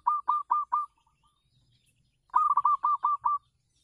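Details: Zebra dove of local stock on a home terrace, serving as a decoy, gives four evenly spaced coos, a pause, then a longer run of about seven quick coos.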